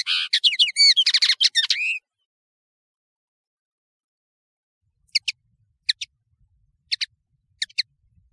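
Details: European serin, called nino in Algeria and kamatcho in Morocco, recorded for tutoring birds: a two-second high, tinkling, twittering phrase, then widely spaced pairs of sharp high notes over several seconds.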